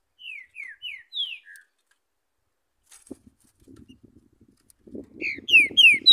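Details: A free-flying Green-winged saltator in Urupema, Santa Catarina, Brazil's coldest place, sings a quick run of five clear, downslurred whistles, then a louder whistled burst over soft rustling and tapping.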